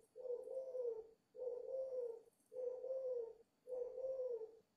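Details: Spirited cooing from a five-month-old dove: four steady, low, hollow coos of about a second each, repeated at an even pace with brief gaps and a quiet background.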